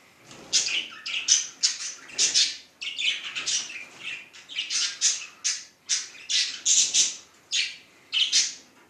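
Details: Budgerigar in Luhansk giving bursts of sharp, scratchy, high chirps, one or two per second in an uneven run, bright and raspy, with no other clear sounds.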